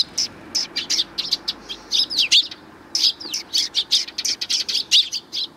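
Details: Hungry sparrows flocking in to be fed at a Tenmangu shrine approach, 24 April 2020, chattering in dense runs of short, piercing chirps with a few downslurred notes.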